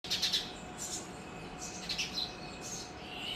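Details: Sparrows from a colony at Hanuman Mandir, MSJ College, Bharatpur, Rajasthan, give short high chirps in small clusters over a steady low background hum.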